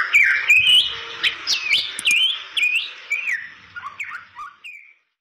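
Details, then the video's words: Lure song of a Bali myna, a scarce protected songbird: clear whistled slurs rising and falling, about two each second, starting loud and fading over the final notes, with a few clicks early on. "Suara Merdu Jalak Bali Gacor Untuk Pancingan Burung Jalak Balimu"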